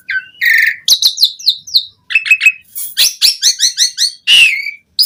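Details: Asian pied starling song used to coax starlings into singing: buzzy notes, rapid series of high falling whistles and chirps, ending with a harsh rasping squawk.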